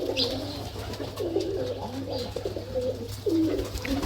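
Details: Jalali pigeons (rock pigeons) in a farm loft with a pair sitting on a chick: continuous low, throaty cooing from several birds, rolling and overlapping, with soft rustling and a steady background hum.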